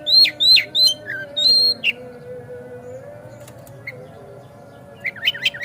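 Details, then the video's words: Oriental magpie-robin, locally kacer, singing as a lure to make another kacer sing eagerly and open its tail: four loud descending whistles in quick succession, a pause with only hum, then a fast run of short chirps. "Pancingan Kacer Agar Cepat Gacor Ngotot Buka Ekor"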